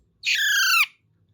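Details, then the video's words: Pet talking parrot, taught to speak, gives one harsh, nasal natural squawk lasting just over half a second, holding a steady pitch, then dropping sharply at the end. "Parrot natural Sound"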